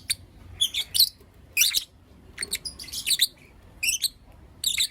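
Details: Lovebirds in Blue Opaline and Lutino Opaline colours calling in the morning: separated bursts of piercing, squeaky chirps, each a quick double or triple note, repeated roughly every half second to second.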